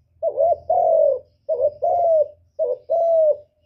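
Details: Low 'cu gù' coos of a spotted dove, used to trap wild birds and excite kept ones. Three phrases follow closely, each a brief trembling note leading into a drawn-out, gently descending hoot.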